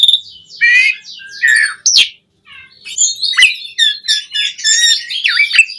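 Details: Asian pied starling in full, lively song, used to stir caged birds to sing: mixed whistles, harsh squawks and buzzy notes, a short silent gap midway, then dense chattering phrases with bright high whistles.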